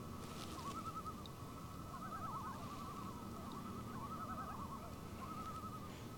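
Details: Common Loons in New Hampshire call back and forth at dawn in early spring, just after ice-out, at 37°F. They give quavering, laughing tremolo calls in repeated bursts every second or so, over a steady low rumble of wind or water.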